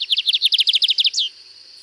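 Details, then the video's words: Lined seedeater at Cunha, Sítio Paraitinga, Brazil, singing its 'canto diferenciado' song style: a fast run of about thirteen sharp, buzzy chirps, then a higher slurred note that falls away, over a faint steady insect hiss. "Canto do Bigodinho Canto Diferenciado"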